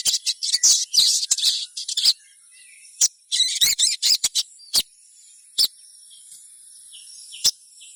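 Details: Sogon lure calling to prompt other sogons to sing: a busy opening of crowded high chirps and trills, then thinner scattered single chips with quiet gaps, over a continuous high whine.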